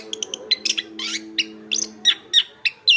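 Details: Anis kembang, the Chestnut-backed thrush, in full song suited to training songbirds: scattered high chips leading into louder looping whistles and upward slurs, with a soft steady hum under the first two seconds.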